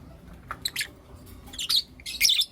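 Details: Lovebirds of Blue Opaline and Lutino Opaline colouring chirp in the morning: a few short, harsh, squeaky chirps, the last two longer and louder.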